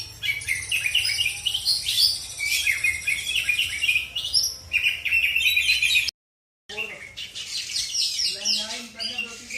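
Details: Kept Oriental magpie-robin, a black-and-white kacer from South Aceh, Indonesia, delivering a rich, nonstop medley of sharp whistles, rising slurs and chattering trills. The song breaks off by a brief dropout, then resumes just as busy.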